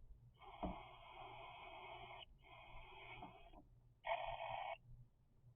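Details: Three-week-old cockatiel chicks producing long, buzzy, rasping calls: a drawn-out two-second rasp, a shorter one, then a loud brief burst. A low electrical hum runs underneath.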